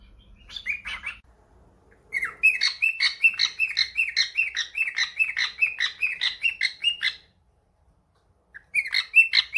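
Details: Pet cockatiel reacting to a phone call with a dense, rhythmic stream of bright chirps and rising whistles for about five seconds, then a short silence and a final burst.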